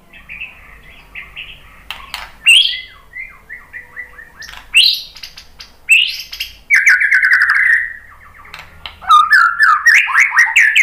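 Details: White-rumped shama singing to provoke other birds into answering: a varied run of whistled slurs, upsweeps and buzzy chattering notes, rising in loudness toward the end.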